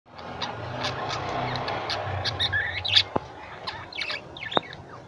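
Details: Pet lovebirds kept at home, giving scattered high chirps and short squeaky notes, sparse at first and busier after the midpoint, over a low steady hum.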